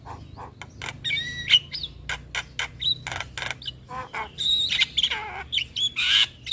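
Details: Javan myna master song with full fill-in phrases, meant to prompt and tutor young birds: a dense run of harsh squawks, short chattering bursts and clear whistled notes, some rising and falling, delivered in quick irregular bursts.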